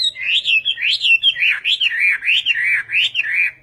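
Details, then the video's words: Chinese hwamei in Vietnamese-style song, a continuous flow of full, mellow whistled phrases that rise and fall in rolling waves about three times a second. "HỌA MI TÂY - TIẾNG HÓT VIỆT"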